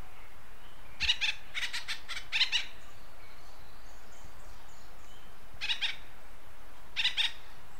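Acorn woodpecker giving harsh, nasal calls in quick runs of two or three notes, with pauses of a few seconds between bursts, over a low steady rumble.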